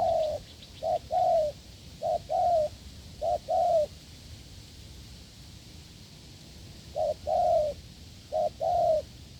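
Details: Wild spotted dove in the fields cooing strongly during a decoy test: short note plus longer falling coo in repeated pairs, a quiet gap of about three seconds mid-sequence, faint high chirps at the start.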